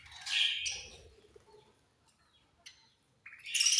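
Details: Feeding budgerigars give loud, harsh, raspy chirps in two bursts, one at the start and one at the end, with a quiet gap and faint clicks between.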